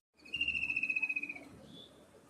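A kingfisher gives a shrill, high, rapidly pulsed trill lasting about a second, then a faint, thin higher note.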